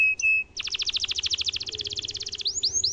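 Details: Canary singing a showy tutoring song: a brief flat whistle, then a long very fast pulsing trill of about twenty-five rising notes per second, ending in sweeping upslurred whistles.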